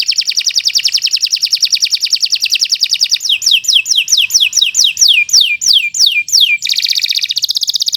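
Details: Long canary song recorded as a tutor model for teaching other birds: a fast, even buzzing trill, then a run of sharply descending whistled slurs about three per second, ending in another dense rattle.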